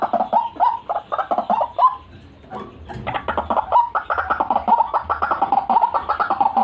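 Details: White-breasted waterhen lure sound: two bouts of rapid, harsh, rhythmic croaking separated by a brief quiet gap, the second bout longer and steadily paced.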